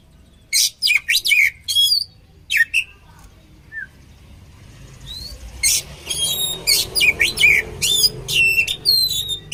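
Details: Oriental magpie-robin (kacer) singing a training combination: loud varied phrases mixing harsh buzzy notes and clear slurred whistles, a quiet gap midway, then rapid repeated bursts of rich whistling.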